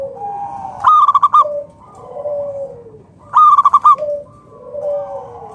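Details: A local Zebra dove gives two full song phrases about two and a half seconds apart, each a bright rising note rolling into a quick stuttered trill, then gentle falling coos, meant to draw other doves into singing.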